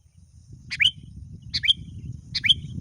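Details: Sooty-headed bulbul in lively form calling to a rival, a lure call also used to teach reluctant birds: three short, sharp, bright chirps spaced under a second apart over a soft low rumble.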